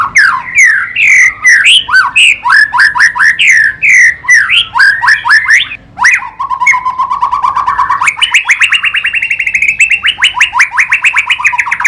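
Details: White-rumped shama singing a loud, varied song: quick rising and falling whistled sweeps, then a long fast run of clipped repeated notes that climbs in pitch toward the end.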